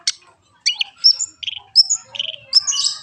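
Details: Long-tailed shrike song of separated phrases: a sharp high click, then whistled downslurs, buzzy mid-pitched notes and thin sustained tones, each phrase starting abruptly at a high pitch.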